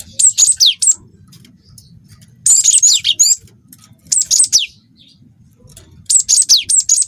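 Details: Juvenile cinereous tit of the wingko type, a lure recording for drawing other birds into song: three bursts of high, sharp whistled notes with steeply falling sweeps, spaced about two seconds apart over a low background hum.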